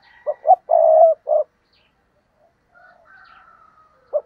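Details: Spotted dove used as a tree decoy, cooing to draw in wild doves: two brief low notes and a drawn-out coo, then a short fourth hoot, faint thin chirps of another bird, and one more low note.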